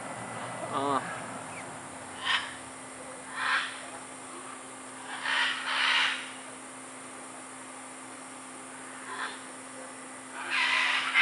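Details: Scarlet macaws playing in the trees at Tambor, Costa Rica, in February 2011; harsh, broadband squawks come singly or in short pairs every few seconds over a quiet background, with a brief rising voice-like sound near the start.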